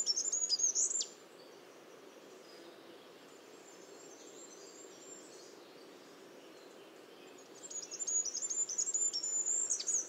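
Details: Goldcrest (Regulus regulus) singing: very high, thin, rapid twittering notes in a brief burst at the start, a quiet pause of about six seconds, then another fast, high, trill-like phrase running to the end over faint background hiss.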